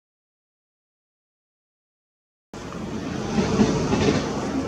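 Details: Silence for two and a half seconds, then steady broadband rushing noise, with no animal calls.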